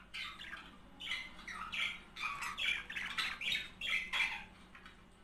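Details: Couple of budgerigars singing, the sound meant to prompt mating: quick chirpy, slightly whistled notes mixed with buzzy squawks in an irregular, lively chatter that rises and falls.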